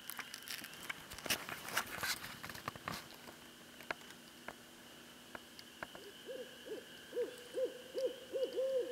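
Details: Wild barred owl called in by a person, answering with a run of rapid, wavering hoots in the last three seconds after a stretch of rustling and handling noises.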